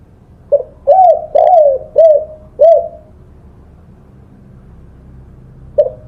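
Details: Spotted dove song, a master recording for training songbirds: a soft opening note, then four low, arching coos in quick succession, a long quiet gap, and one more coo at the end.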